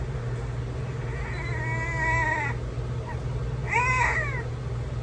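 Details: Amazon parrot imitating a crying baby: two drawn-out, wavering wails with rich harmonics, the first rising and holding for about a second, the second shorter and bending down, over a steady low electrical hum.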